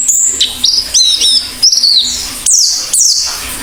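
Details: Actively singing Oriental white-eye gives short groups of piercing, high, falling twitters with brief gaps between phrases, over a faint steady low hum.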